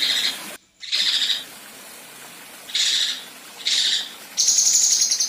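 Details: Female Kinoi besetan: scattered harsh, rasping buzz bursts separated by short pauses, closing with a high, fast shimmering trill.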